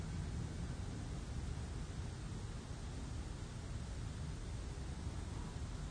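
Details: Steady broadband hiss with a low rumble, like wind or microphone noise, and no animal voice throughout.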